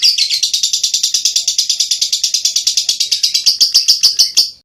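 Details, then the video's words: Lovebird giving ngekek, a long unbroken chattering used as master song for training songbirds: rapid, harsh, high chips about six per second, each with a buzzy accent, run steadily for over four seconds, then fading away. "LoveBird Ngekek Cocok Untuk Masteran"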